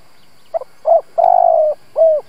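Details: Spotted dove kept as a decoy to incite other doves, delivering a coo phrase: a soft stuttered note, a short coo, a long drawn-out slightly descending coo, then a closing curved coo.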